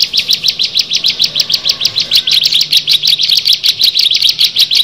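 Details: Bar-winged prinia, one of six birds, repeating short sharp high chirps about five per second in a steady, insistent rhythm.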